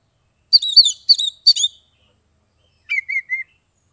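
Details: Oriental magpie-robin, a caged bird from Kebumen, Central Java, with song used to prompt silent or reluctant birds to sing; three clear whistled phrases with sharp slurs, a pause, then lower steady whistles.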